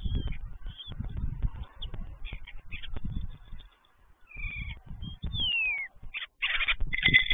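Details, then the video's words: Starlings, five of them visiting an unoccupied stork nest, give scattered short whistles and one long downward-sliding whistle, ending in a harsh rasping burst, amid frequent low thuds and buffeting noise. "Pięć radosnych szpaków (Sturnus vulgaris)"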